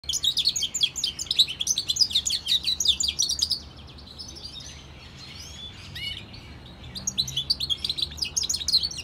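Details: European goldfinch and canary hybrid singing; bursts of quick, high twittering and chirping notes, pausing midway for softer warbled phrases before resuming the lively chatter.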